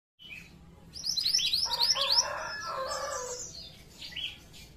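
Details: Pied triller song used as a lure to draw other pied trillers in groups: a dense burst of high, chattering chirps and short descending trills over a lower warbling band, fading into softer scattered notes, with faint background hum.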